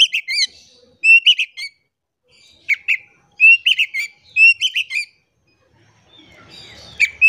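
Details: Singing Oriental magpie-robin used as a lure for silent birds: clean whistled phrases with rising slurs and stacked chirps, separated by short silences, with faint rustling near the end.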